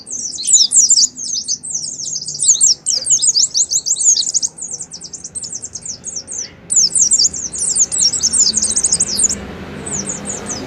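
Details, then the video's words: Lure recording of an oriental white-eye singing ngalas style: long stretches of fast, high, chattering twitters in quick succession, a brief break, then another dense burst fading to scattered notes. "Terapi suara pleci ngalas , pancingan pleci ngalas awass nyaut"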